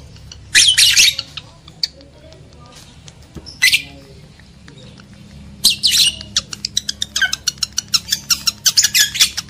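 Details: Lovebird mating-stimulation sound for males and females: a few loud shrill squawk bursts spaced apart, followed by a fast series of sharp repeated chips, low hum underneath.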